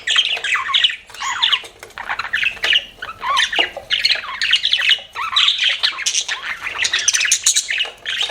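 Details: Kept budgies produce harsh squawks and warbling chirps with rising and falling inflections, delivered in short phrases separated by tiny gaps.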